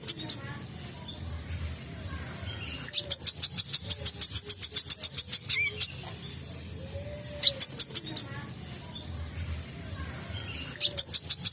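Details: Olive-backed sunbird used as a lure recording to draw wild sunbirds: bursts of rapid, very high, thin chipping notes, about twenty in quick succession, repeated in spells over a faint low background hum.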